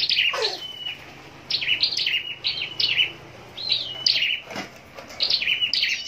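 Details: Scarlet-backed flowerpecker, a caged contest singer from Long Thành in southern Vietnam, giving quick high chirping phrases that drop in pitch, with a drawn-out thin whistle and short gaps between bursts.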